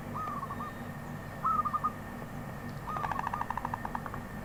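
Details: Wild zebra dove: two brief trilled coos followed by a longer rattling series of clipped, evenly spaced notes, set against low steady background noise.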